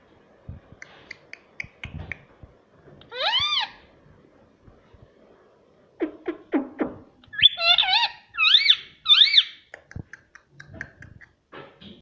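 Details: Green ring-necked parrot kept as a pet, mimicking speech in a small room; soft clicking, an arched harmonic syllable, then staccato notes and a run of three loud warbled word-like calls.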